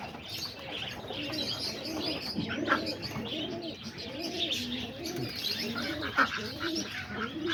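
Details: Early morning at about 9:30–10:00, several roller pigeons perched outside on a loft roof coo together in low, rolling, overlapping phrases, with soft chirps and a few wing flaps from the flock.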